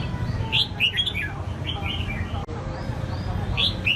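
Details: Contest-bred caged red-whiskered bulbuls give crisp, sharp whistled notes and short warbled phrases in quick bursts, with a brief silent gap midway and low background hum.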